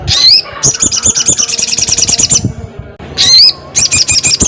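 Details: Crested jay calling a rival, alternating a loud rising whistle with long, fast, buzzy rattles, the pattern repeated twice.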